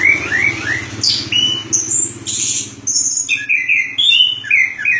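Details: Chestnut-capped thrush singing a rapid, varied run of clear whistles and high sweeping notes with few pauses, over a low steady hum.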